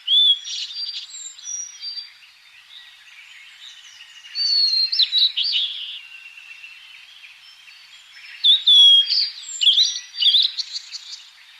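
A Blue-and-white Flycatcher sings clear, high whistled phrases with buzzy, warbling flourishes, delivered in two bursts separated by softer twittering.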